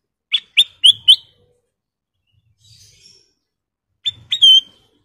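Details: Sooty-headed bulbul (kutilang emas) in full voice, giving a quick run of four sharp, bright whistled notes. After a short pause comes a second phrase of clipped notes ending in a longer ringing whistle. The background is quiet.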